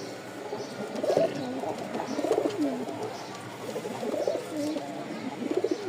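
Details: Giribaz pigeons, farm birds in Rajshahi, Bangladesh, kept with young; low gurgling coos repeated about every second, rising and falling, over a constant indoor hum.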